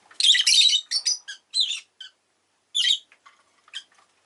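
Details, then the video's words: Rosy-faced lovebirds kept as pets burst into loud, raspy squawking chatter, a dense run of rough notes followed by shorter clipped chirps and a final harsh squawk, then quieter ticks. "Lovebird Chirping Sounds"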